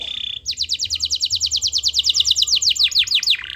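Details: Bright canary trill played to coax quiet canaries into song: a brief buzzy note, then a fast even series of sharp downslurred notes repeated about three times per second, ending in a rattle.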